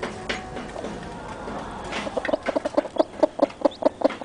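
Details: Chickens, newly hatched chicks with their mother: a murmur at first, then a run of short, low clucks repeated quickly and fairly regularly in the second half.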